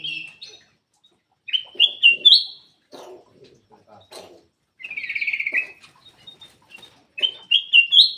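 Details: A black-crested bulbul repeats loud phrases of clear rising whistles, separated by pauses, and one fast trilled burst. It is used as a lure to get quiet birds singing, with soft clicks between phrases.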